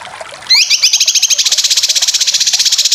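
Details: Competition-training song of a cucak kinoy: after a faint start, a sudden loud rising note opens into a long, rapid, buzzy trill of evenly repeated pulses.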